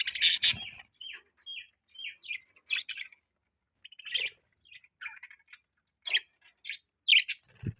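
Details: A pet budgie gives scattered short chirps and warbled twitters, each brief and high, separated by quiet gaps, with a faint thud at the end.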